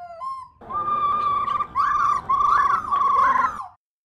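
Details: Female black laughingthrush voicing the 'ro ro' sound played to trigger singing in kept laughingthrushes; a short rising whistle leads into three seconds of even rolling churr with small upward bumps, then stops.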